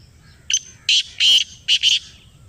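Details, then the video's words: Black francolin answering a call played to it: a short high note, then a grating phrase of four harsh, buzzy notes, the second long and drawn out, the last two close together. "یہ آواز سنائی تو کالا تیتر بول اُٹھا . Kala Teetar Ki Awaz | Black Partridge Voice"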